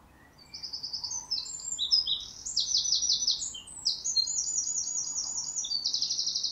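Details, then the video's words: Wren, a regular garden visitor, singing from a neighbour's tree in an open spot; a loud, very high, rapid song of chattering trills and sharp notes runs almost without pause, with rattling bursts strung together throughout. "Wren Birdsong."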